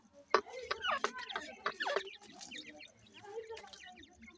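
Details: Grey francolin pair with chicks, the chicks feeding; quick thin chirps that slide downward, tumbling over one another in a busy cluster, mixed with sharp clicks and a steady low hum.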